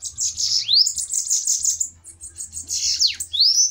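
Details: Spirited bananaquits in a fighting song duel: high, thin, buzzy wheezing chatter runs almost without pause, broken by bright upward-swept notes and one sharp falling slur, over a faint low hum.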